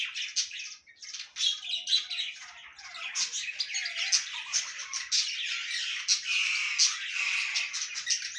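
A flock of budgerigars chatters continuously with overlapping squawks, chirps and warbling notes.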